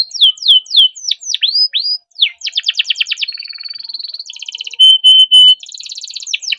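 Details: Captive canary in full long song used to coax other canaries into singing: falling whistled notes, a rapid trill, a steady buzzy roll, then three loud pure held whistles followed by quick chattering notes.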